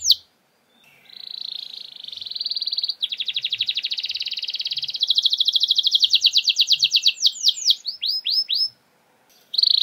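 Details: Canary singing as a lure for reluctant birds: a soft start building into long rolling trills that speed up and change pitch, then sharp downslurred notes, a pause, and a new phrase.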